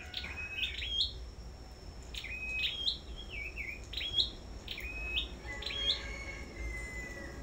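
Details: Sâu đầu đỏ songbird singing in a competition at a bird farm: short bright whistled phrases, each a rising slur ending on a flat high note, repeated irregularly about every second over a low background hum.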